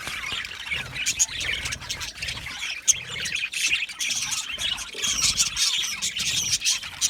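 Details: Budgerigars chirping together, a busy wash of thin, high tweets and fast warbled notes with occasional sharper squeaks, the flock calling without a break.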